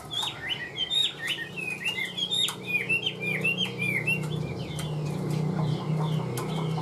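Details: A tame, partly hand-reared Chinese hwamei sings steadily: a fast run of bright, slurred whistles and chirps, phrases tumbling over one another, with a low room hum underneath.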